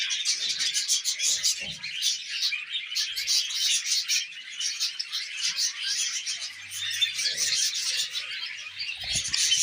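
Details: Flock of tame budgies chattering while eating millet, an unbroken stream of high, scratchy warbles and quick chirps layered over one another, with faint low knocks in the background.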